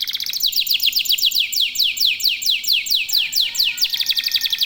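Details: Local canary singing energetically, a song used as a lure to get other canaries singing: fast series of high downward-sweeping notes, about four each second, then a shift to a steadier trill near the end.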